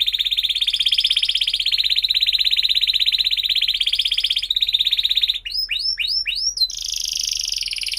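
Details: Canary song used as a lure for young canaries learning to sing: a long, unbroken high rolling trill lasting about five seconds, then four curved, sweeping whistles and a fresh buzzy roll.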